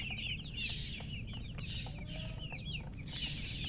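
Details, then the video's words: Freshly hatched chicks piping in quick clustered bursts of shrill, falling peeps, with a low background hum and a soft knock at the end. "Tot Murgi chicks chirping sounds Just Born Baby Gallina FRACAS Chicks Piar Loudly Sound"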